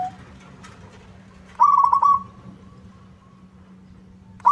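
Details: Local zebra dove singing in full voice, its song said to provoke rivals into answering: one short burst of rolling, trilled coos on a single mid pitch, with another phrase beginning at the very end, over a steady low hum.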